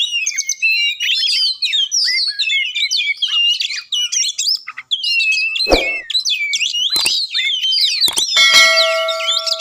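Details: Oriental magpie-robin singing continuously in rich, rapidly changing whistled phrases with slurred up-and-down notes, meant to provoke a quiet bird into song; a few sharp clicks and a short electronic-sounding tone appear near the end.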